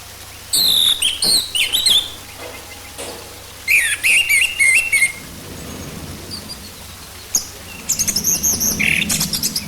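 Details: Orange-headed thrush song used as a lure to prompt birds to sing: bursts of high, varied whistles and sharp chattering notes with gaps between phrases, some buzzy trills, over a faint steady hum.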